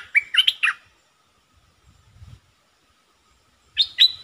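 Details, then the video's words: Caged decoy Puff-backed Bulbul, in full song: a brief phrase of three rich, warbling chirps, then a soft low rustle, then another phrase of rising and falling notes. "Suara merbah lekir gacor"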